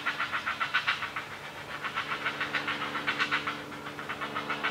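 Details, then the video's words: Great blue heron chicks begging harshly while being fed by a parent, a rapid chatter of ticking notes about four a second over a steady low hum; the noise stops once the parent leaves. "Great Blue Heron family - feeding the kids"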